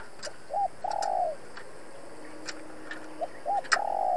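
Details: Spotted dove decoy cooing to provoke wild rivals during trapping: a few quiet, low coos. Brief hooked notes lead into longer drawn hoots, set against steady background hiss and occasional knocks.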